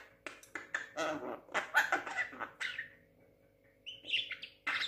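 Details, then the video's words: Young talking Javan myna, six months old, producing a dense run of harsh, chattering syllables, a pause, then a brief higher whistled phrase and a last rasp. "burung jalak kebo muda pinter ngomong usia 6 bulan"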